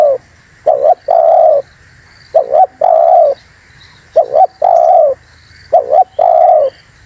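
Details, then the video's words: Spotted dove luring call: repeated low phrases, a short two-humped coo running into a longer even coo, five phrases spaced about 1.5 seconds apart. "SUARA BURUNG TEKUKUR UNTUK PIKAT DAN PANCINGAN"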